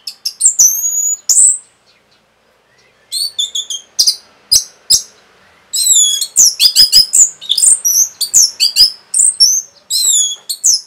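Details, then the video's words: Orange-headed thrush giving a rapid song meant to excite other birds into singing: bursts of high, sharp whistled and chattering notes, slurred up and down, with a two-second pause before denser rapid phrases resume. "SUARA RAPET ANIS MERAH BIKIN EMOSI BURUNG NAIK LONCAT INDAH LANJUT NGEPLONG GACOR TELER NGOTOT"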